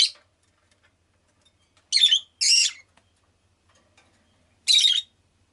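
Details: Pet rosy-faced lovebird calling with sharp, raspy, high chirps, two close together, then one more after a pause, against a quiet background.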